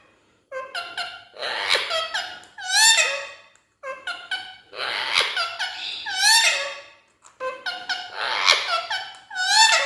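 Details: Talking Indian ringneck parakeet at a mirror in a small room, delivering three bursts of rapid, nasal, mimicked words with stepped harmonic syllables and rising squeaky endings, separated by short gaps.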